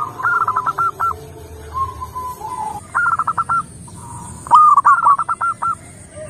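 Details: Local zebra dove (perkutut) in lively song: repeated bursts of fast, clipped cooing notes, each ending in a longer coo, with lower drawn-out coos from other doves between phrases.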